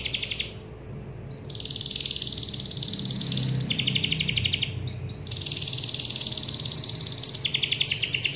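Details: Canary singing to call a rival: long, loud, rapid rolling trills on a high pitch, broken by a brief pause near the start and a short gap mid-song, then resuming at full intensity.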